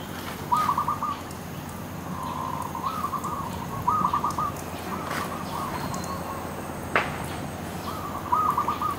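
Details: Cooing dove on a tree: a run of short, mellow, tonal phrases at a similar pitch, some linked into longer sequences. A sharp click sounds midway against a constant low background hiss.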